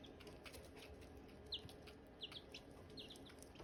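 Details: Silkie chickens, chicks and hatching eggs: a few clear, sharp peeps that fall quickly in pitch, spaced under a second apart, over faint background rustling.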